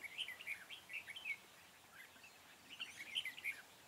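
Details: Red-whiskered bulbul, a long-bodied bird with a scaled crest, singing in the 'ché' style during bulbul trapping on 4 February 2017. Bright whistled and chirped phrases come in two bursts, with a quiet pause between them, over soft background hiss.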